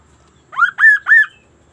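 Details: Kaso-kaso (Sunda laughingthrush) singing in lively, unusual fashion: a rapid trio of loud, rich whistles, each swooping up from low and curving down again.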